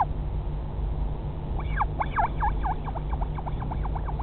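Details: A Northern royal albatross chick at the Pukekura/Taiaroa Head colony near Dunedin, New Zealand, 2017, gives a quick run of squeaky, chirping notes, several per second, over a steady low rumble of wind.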